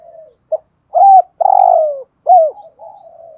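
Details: Decoy spotted dove with 'giọng thổ' style voice: a soft coo and brief pip, then three strong hooting notes, the middle drawn out and sliding down, closing with a low purring murmur.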